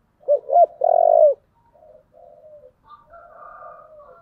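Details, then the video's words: Spotted dove, a "giọng thổ" style caller used to provoke fighting, gives a loud coo: two short rising notes then a long, low, steady burred coo, followed by softer fainter coos and a quieter overlapping call. "cu gáy giọng thổ/ cu gáy thúc đấu"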